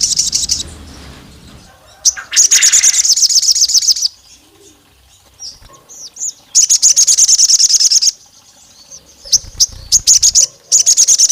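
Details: Olive-backed tailorbird female calling to a male, provoking rivals: repeated bursts of rapid, piercing high trills, each a couple of seconds long, separated by quiet gaps with scattered chirps and a low rumble.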